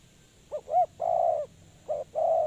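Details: Spotted dove serving as a trapping lure. Two short arched notes lead into a long husky coo, then a short note and a second drawn-out coo.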